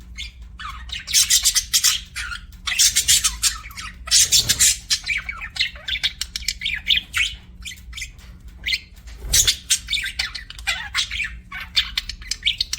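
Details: Pet budgerigar chirping loudly and energetically: dense, harsh, buzzy squawk bursts in quick succession, with a couple of low knocks, over a faint hum.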